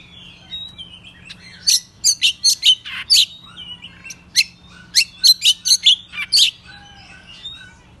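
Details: Oriental magpie-robin, roused and singing in the morning with tail fanned: thin whistles give way to two bursts of loud, rasping, evenly spaced high notes, five to eight per burst, with quiet warbles between.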